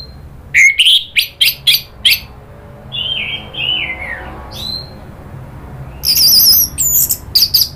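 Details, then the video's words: Orange-headed thrush, lure meant to rouse rapid chattering then full song: a series of short sharp notes, descending whistled slurs, then warbled high trills and clipped notes. "bikin ANIS MERAH EMOSI NRATAK lanjut NGEPLONG ¦ PANCINGAN AM"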